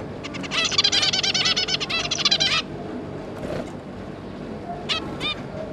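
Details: Zebra finches, parents with three juveniles, 5 August 2022: a fast stuttering series of about a dozen nasal notes over two seconds, then quiet, then two sharp calls near the end.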